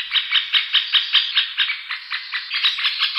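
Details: Middle spotted woodpecker, with calls and male displays documented: a dense, continuous chatter of quick, harsh notes, roughly three per second, running without a break.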